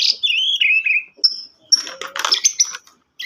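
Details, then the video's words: White-rumped shama giving a short run of song: a clear descending whistled slur, then a thin high note and a burst of scratchy, chattering notes before falling silent. "murai batu"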